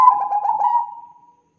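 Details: Bangkok-type zebra dove in strong voice, a lure recording meant to spur other doves to sing: one low, slightly rough coo with quick pulsed notes that fades smoothly into a drawn-out tail.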